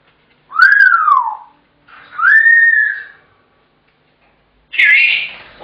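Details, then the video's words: Pet African grey parrot indoors, shouting as it does when its owner gets home from work until fed: two loud whistled calls, each rising then falling in an arc, then a harsher high burst after a pause. "Billy The African Grey Shouting"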